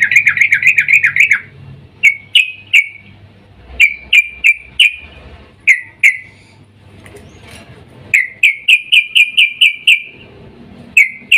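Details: Female yellow-vented bulbul in breeding mood calling a male, used as a lure: a rapid wavering chatter opens, followed by scattered short whistled notes and a run of about seven quick notes.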